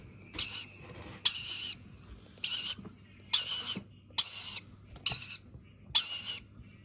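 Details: A rainbow lorikeet chick being fed repeats coarse, buzzy squawks, seven rough bursts in under seven seconds, each brief and evenly spaced, with a faint steady hum behind.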